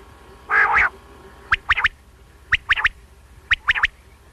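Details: A single male quail, recorded for night hunting. A low harsh burst opens, then crisp three-note phrases repeat about once a second, each phrase a quick run of sharp clipped notes, in a quiet setting.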